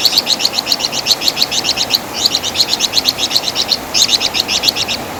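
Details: Wergan Jawa, or flamboyan bird, valued for its ringing voice and distinctive chatter as tutor song: an almost continuous stream of high, dry, rapidly repeated chirps in short grouped runs with a brief break midway.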